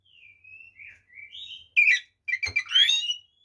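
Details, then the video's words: Oriental magpie-robin fighting song, full mimicry repertoire, meant to make other magpie-robins agitated: soft, wavering whistles at first, then a loud harsh burst and a rich, warbled run of fluty notes, with one low knock. "SUARA BURUNG kacer gacor TARUNG FULL ISIAN ini PALING AMPUH MEMBUAT KACER EMOSI"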